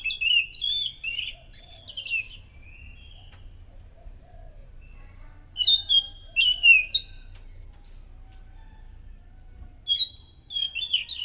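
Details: Loud thrush song played as a lure to attract other thrushes: three bursts of rich, high warbled whistles with rapid slurs, each lasting one to two seconds and separated by several seconds of near silence.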